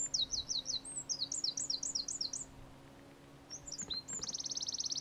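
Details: Eurasian Wren: rapid series of high, sharp, downslurred notes repeated in quick runs, then a pause, a few separate high notes and a fast, dry, even trill near the end, with a steady low hum behind.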